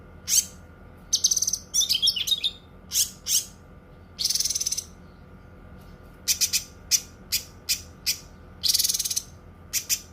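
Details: Cucak kinoi song: scattered bursts of sharp, high chirps and a few rapid buzzy trills, separated by short pauses over a faint steady hum.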